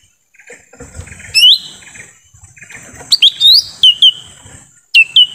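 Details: Lesser green leafbird lure call in forest, aimed at drawing wild birds: a rising slurred whistle, then a cluster of sharp downsweeping whistles and upslurs, ending with two quick whistled notes.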